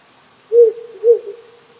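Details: Countryside Japan at night, few insects calling in the cold: a wild owl gives two clear, mellow low hoots spaced about half a second apart, with the steady hiss of a small stream.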